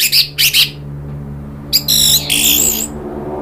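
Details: Orange-headed thrush provoked into emotional rattling, then open singing, as lure audio: two harsh rasping bursts, then a long harsh chatter with layered high whistled tones, over a low background hum.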